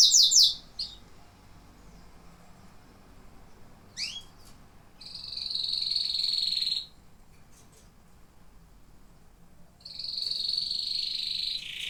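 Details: Singing canaries: a sharp burst of fast high notes, two rising upslurred whistles near four seconds, then long buzzy trills at high pitch separated by a pause.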